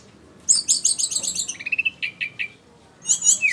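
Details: Flycatcher song: a run of rapid very high chirped notes, then several lower, evenly spaced whistled notes, a short pause, and another high twittering burst.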